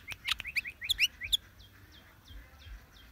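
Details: Sooty-headed bulbul calling: a lively run of short, bright chirps, several sliding downward, given in quick bursts early on and then spaced out more sparsely, with a few sharp clicks over a low background rumble.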